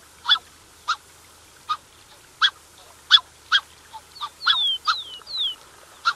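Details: Black-necked Swan pair with cygnets, recorded close up: short, nasal, honking notes spaced roughly half a second to a second apart, then a few thin, high, downslurred whistles near the end over a quiet background.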